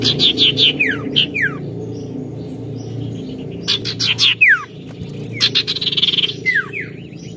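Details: {'text': 'Oriental magpie-robin in full song: varied clear whistles sliding sharply downward, short chips and scratchy bursts in uneven phrases, over a low background rumble.'}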